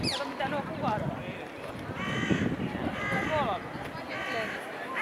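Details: Rose-ringed parakeets at their nest in a tree in Vondelpark, Amsterdam: a few harsh, screechy calls with stacked bands, spaced a second or so apart over a steady park murmur with some chatter from other birds.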